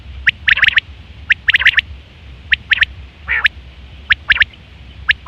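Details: Quail call recorded in September 2023, the common call for hunting and mating; quick high triplet notes in tight bursts, one lower nasal drawn-out note midway, low hum behind.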